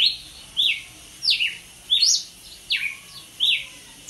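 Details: Red-cowled Cardinal (Paroaria dominicana) singing clear, high, slurred whistles, each note sweeping downward, delivered in short phrases about every three-quarters of a second against a quiet background.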